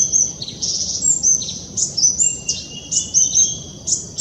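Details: A Black-throated Sunbird, going crazy on a wire, gives thin, very high chips and short sibilant notes, tumbling out about once a second over faint low background rumble.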